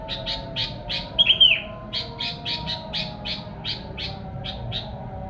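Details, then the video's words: Sooty-headed bulbul song for luring wild birds: a loud whistled falling phrase early, then a steady series of short crisp chirps about three per second, faint hum throughout. "kicau kutilang buat pancingan kutilang liar"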